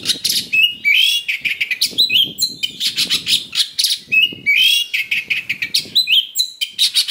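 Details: Fighting-provocation song of an Oriental magpie-robin, full of rough fillers: repeated phrases of harsh buzzy chatter, each ending in a sweeping upslurred whistle, continuous and loud with low rumble beneath.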